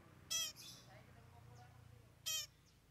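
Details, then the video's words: Long-tailed shrike singing a song with three mimicked fill-in phrases: two loud, harsh, buzzy bursts about two seconds apart, rich in stacked overtones, with faint soft notes between them. "Cendet Bongkar 3 Isian"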